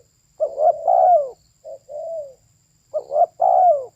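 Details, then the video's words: Female spotted dove cooing. Two soft phrases, each a couple of quick short notes run into a longer downslurred coo. A quieter, lower pair of coos sits between them in an otherwise quiet setting. "เสียงนกเขาใหญ่/Suara Burung Tekukur"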